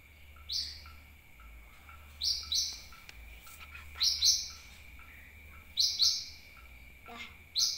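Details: Sunbird lure call used to attract birds: sharp, high, downward-sweeping chips given in close pairs, repeated at irregular intervals over a steady faint high hum and low background rumble.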